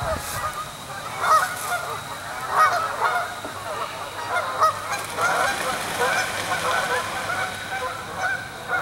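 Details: Canada geese at Springfield Lake, Churchville Park, Pennsylvania, on 25 October 2015, arriving in the evening to settle on the water for the night; many overlapping nasal honks rise and fall in bursts, a noisy chorus of the flock.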